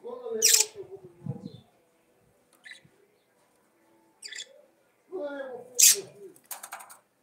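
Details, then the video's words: Budgerigars chattering in bursts: a loud shrill chirp over gurgling murmurs, a quiet pause with faint clicks, then another piercing squeak and scratchy trill. "CANTO DE PERIQUITOS-AUSTRALIANOS"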